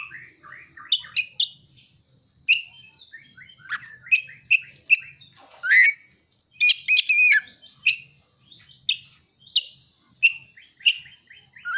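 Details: Oriental magpie-robin (kacer) singing with imitated prinia (ciblek) and sunbird (kolibri) material: varied bright whistles, sharp chirps and rapid buzzy trills, notes rising and falling, delivered in irregular bursts with short pauses, faint low hum beneath.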